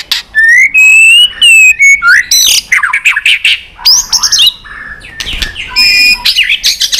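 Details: White-rumped shama singing in competition, tail flicking, in a long wild-style song of many voices: ringing whistled notes repeated in a series, then harsh buzzy bursts, chatters and bright slurred phrases.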